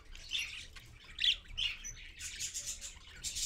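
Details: Dawn parakeets, parent with babies, 6:20 AM on 4.1.15 on a live stream: a few grating squawks in the first second and a half, then a denser hiss-like chatter building toward the end.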